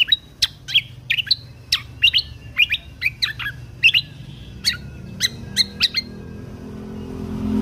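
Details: Song of a Lesser green leafbird in 'tembakan kunti' style, recorded to train contest songbirds: a steady series of about fifteen sharp, bright, downslurred whistles spaced evenly, fading out as background hiss grows.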